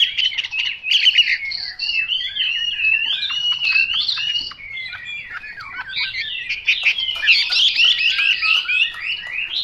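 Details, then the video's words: Chinese hwamei in continuous song: nearly ten seconds of varied loud whistles, slurs and warbles, with brief clicky notes between phrases and a stronger burst toward the end. "Họa mi mộc dở 09"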